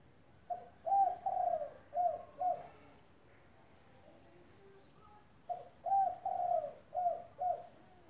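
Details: Spotted dove, a singing bird used as a tutor for training other doves, giving two phrases of low hollow coos around 600–800, each phrase of five notes with a drawn-out middle note, separated by a short pause; faint high insect-like tone behind.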